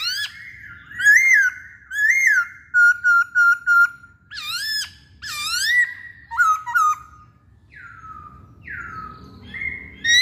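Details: Masked laughingthrush in lively song. Bright looping whistles alternate with quick clipped notes repeated in short bursts. The phrases end in descending slurred whistles.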